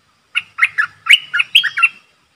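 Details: Decoy streak-eared bulbul calling a wild flock in: a brisk, lively phrase of bubbling chirps, seven or eight notes delivered in about one and a half seconds.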